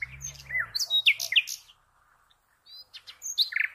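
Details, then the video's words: Common nightingale song of sharp rising and falling chirps and a few clear whistles, broken by a silent gap. A low rumbling noise sits under the first moments. "The Best NIGHTINGALE Song"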